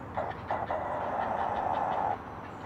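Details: Great blue heron at a nest 100 feet up a loblolly pine in a rookery on Maryland's Eastern Shore, Chesapeake Bay, early morning of 20 June 2018: a few short harsh clacks, then a hoarse, rapidly pulsing chatter held for about two seconds.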